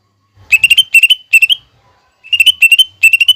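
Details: Lesser green leafbird song used as a training recording for captive songbirds, with mimicked fighting-sparrow, lovebird and hummingbird phrases: rapid bursts of sharp high chirps in tight clusters, two groups separated by a short pause.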